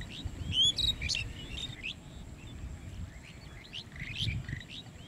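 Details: Lesser whistling ducks in Manikganj giving thin, high whistled notes in quick overlapping bursts, several birds calling together over a steady low rumble of background noise.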